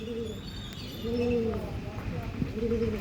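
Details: Andhra line breed pigeon cooing: low, hollow coos repeated three times over about three seconds, each a soft rounded note, with faint background hum.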